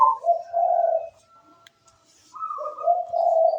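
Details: Local natural zebra dove singing: a quick high note drops into a long, soft, purring coo. After a brief near-silent pause, the same pattern returns.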